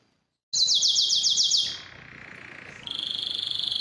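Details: Canary song played to stimulate singing and mating: rapid buzzy trills repeated about four per second, dropping to a lower steady rolling trill, then a bright sustained high trill.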